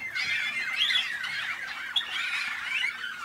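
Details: Malinois (Waterslager) canaries bred in North Canton, Ohio, USA: a busy stream of gurgling, water-like rolls and quick twisting notes, steady in loudness, with a brief sharp accent near the two-second mark.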